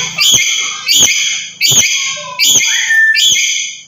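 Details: Black-capped lory from Papua uttering loud provoking calls: five harsh, raspy, strongly harmonic squawks repeated about every three-quarters of a second, each with a noisy click at the start.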